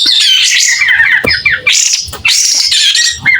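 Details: Short burst of clear White-rumped shama song, sung with tail spread: dense warbled whistles and descending slurred notes in three quick phrases.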